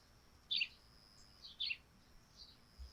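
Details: Sparrows chirp on a dewy thatched roof in the morning, two clear high chirps about a second apart followed by a fainter one, over low background hiss.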